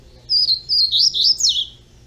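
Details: Double-collared seedeater youngster sings a connected run of thin, wavering whistles rising and falling, ending with a sharp downward slur, all high-pitched over a quiet steady hum.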